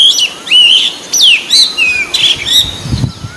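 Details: Wild white-breasted Oriental magpie-robin in lively song: loud, varied whistled notes, some rising, some falling steeply, delivered in quick succession with a brief rustle toward the end.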